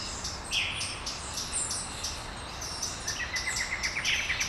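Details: Dawn birdsong in Brasília, Brazil: high chirps from several birds, then a rapid run of short, evenly spaced ticking notes repeated about four times a second toward the end, over faint background hiss.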